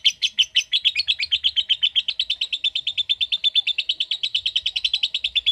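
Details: Lovebird's long ngekek chatter: uneven, louder pulses at the start settle into a dense, regular stream of high, buzzy notes that continues to the end.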